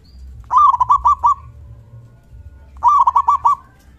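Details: Local zebra dove with a big, loud 'kung' voice, used to provoke other doves into answering. Two rolling phrases of rapid staccato coos with drawn-out tails, a little over two seconds apart, over faint low rumble.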